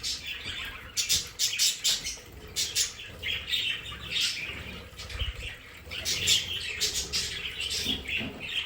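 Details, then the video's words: Budgerigars kept as pets in a decorated play area make busy, overlapping squawks and chirps, rising and falling in loudness, with constant flowing-water noise behind them. "Sonidos de periquitos Australianos"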